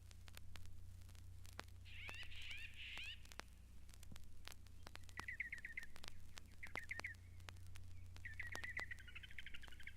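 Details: Northern Mockingbird, the Florida state bird, singing at Mountain Lake Sanctuary: short, varied, chattering phrases, some repeated several times in a row, with gaps between them. A faint background chorus, steady crackling clicks and a low hum run throughout.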